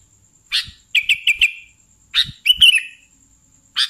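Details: Vigorous sooty-headed bulbul (kutilang) song: a sharp chirp, then four quick whistled notes, another chirp and a warbling slurred phrase, ending on a single chirp, a thin steady high tone running throughout.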